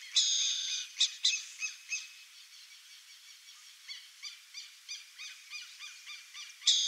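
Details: Burrowing owl: a raspy hissing screech with a few sharp clicks, then a long run of soft, quick, chirping notes about twice a second, ending with another harsh rasp.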